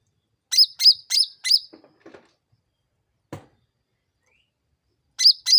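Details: Sooty-headed bulbul lure recording meant to make other birds respond fast. Four rapid, high, flicking chirps, a few faint low ticks and a single click, then quiet before two more chirps close the stretch.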